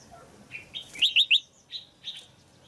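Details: Caged female red-whiskered bulbul singing for an adult male: soft warbled notes lead into three quick bright whistles, then fainter trailing notes.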